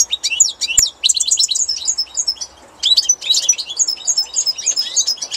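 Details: Spring song of a European goldfinch, with rapid, high, sparkling twitters and buzzy trills in two long phrases separated by a short quiet gap, plus a sharp click near the start.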